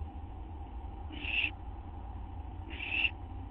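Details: At a nest just after midnight on September 6, 2011, an owl gives two short, harsh, breathy hisses about one and a half seconds apart as food is brought in, over constant low electrical hum.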